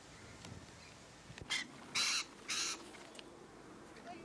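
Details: Rainbow lorikeets, part of a flock of hundreds at Lane Cove National Park, giving three harsh, broadband screeches in quick succession after a few faint clicks, over a quiet background.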